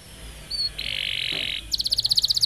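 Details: Pet canary singing on a training recording meant to prompt young canaries to sing: a brief high chirp, a steady buzzy roll lasting under a second, then a quick run of sharp repeated pips.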